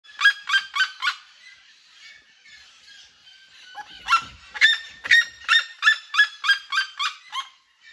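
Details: Red-legged seriema song: loud, harsh, yelping notes, about three a second, in two bursts separated by a brief pause with a soft thump.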